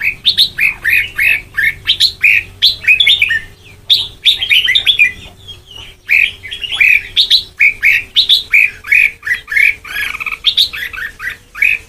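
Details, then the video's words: Red-whiskered bulbul (white-cheeked) in Sông Kon-style song training delivers a long, lively string of sweet chirping phrases, rapid rising and dipping notes repeated almost continuously with tiny gaps, over a low steady hum. "Ép Giọng Cho Chào Mào Má Trắng Thành Sông Kon Chuẩn 100%"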